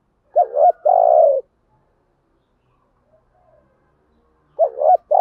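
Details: Lure spotted dove cooing for wild doves: a low wavering note and long steady coo, a long pause, then the next coo beginning, in quiet surroundings.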